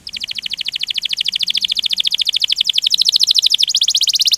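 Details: Canary singing a fast rolling trill, a chirping song played to encourage other canaries to sing: a steady, rapid series of high buzzy pulses repeated several times a second throughout, shifting slightly in tone near the end.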